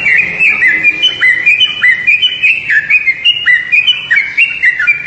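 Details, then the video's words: Yellow-vented bulbul gives a steady run of bubbly, liquid chirps, about one or two notes per second, dipping and rising in mid-high pitch. "SUARA TRUCUKAN"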